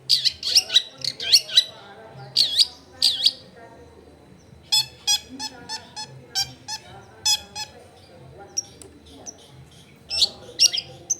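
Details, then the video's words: Long-tailed shrike song, used as a lure for other shrikes, recorded in a crowded residential area: harsh high squeaks and clicks, then fast rattling stuttered notes, ending with more squeaky bursts. "SUAR BURUNG CENDET GACOR COCOK BUAT PANCINGAN CENDET BAHAN BIAR IKUT BUNYI"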